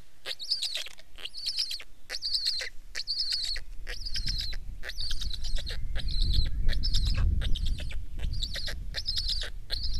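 Black stork giving hoarse, wheezy hissing notes, repeated about twice a second in a steady series, over a low rumble of wind.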